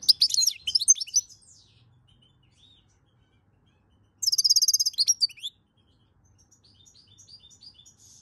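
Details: European goldfinch song from May 2022, with dense bursts of high, twittering and trilled notes, a pause, then a second ringing trill, and softer twitters toward the end.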